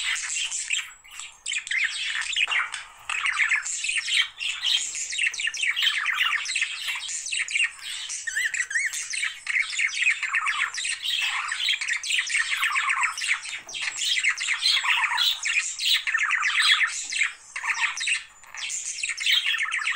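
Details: Budgerigars give mating and breeding-stimulation sounds, chattering in a dense, continuous stream of warbling, squawks and sharp chirps.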